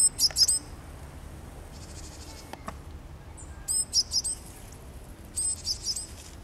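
Japanese tit giving three short bursts of thin, very high chirping notes, each a quick cluster a couple of seconds apart, over quiet background hiss.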